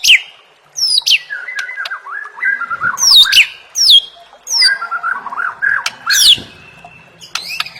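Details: White-rumped shama song used to tutor competition birds: sharp high downward-sweeping whistles alternate with lower rambling, chattering warbles in irregular bursts.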